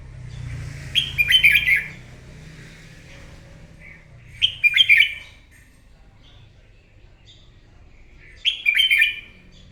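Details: Wild-caught red-whiskered bulbul singing competitively in the morning, three lively warbled phrases roughly every four seconds, each bright and rippling with a brief whistle before, above a low rumbling background.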